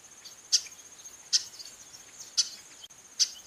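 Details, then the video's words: Female chestnut-capped blackbird calling: four short, sharp, high chips at uneven intervals of under a second. A continuous thin high-pitched whine persists in the background. "Fêmea de Garibaldi chamando muito"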